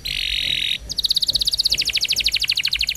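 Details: Canary song used as a lure to get silent or slow canaries to answer and sing: a dense buzzy trill, then a fast series of sharp repeated chirps at about three per second, bright and high.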